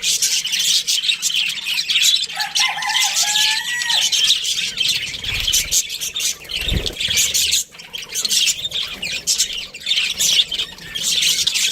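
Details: Australian budgies in a breeding pair chatter in high, scratchy chirps, with a few clearer whistled notes early on and a dull thump about two-thirds through.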